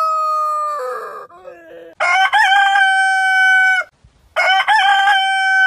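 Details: Rooster of a heritage chicken breed crowing: a long, steady, strained cock-a-doodle-doo with a brief wavering start, held about two seconds, followed after a short gap by another crow, with a lower, broken tail of a previous crow.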